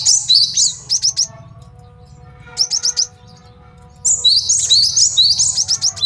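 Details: Male cinereous tit recorded as a master song for tutoring and luring birds; bursts of rapid high sharp notes alternate with a long, dense, ringing chattering phrase, with quiet gaps between and a steady low hum beneath.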